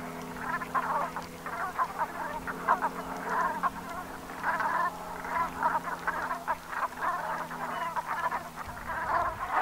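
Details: Autumn Brent goose flock, Gulf of Morbihan, Brittany, at sundown on 7 November 2021. An unbroken babble of gruff, rasping calls from numerous birds rises and falls, with a soft low drone in the background.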